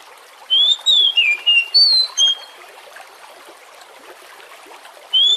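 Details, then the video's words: Oriental magpie-robin song used as a lure: a rapid burst of high, varied whistles for under two seconds, then a pause filled by rushing water, ending on one more whistled note. "Pancingan kacer Jenis APAPUN agar Lekas GACOR dan NGEPLONG"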